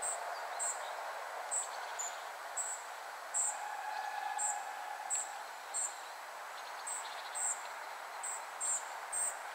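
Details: Spotted flycatcher family giving a series of brief, high, thin piping notes, about one or two per second at irregular spacing, with a constant low rushing hum beneath and faint fainter calls between.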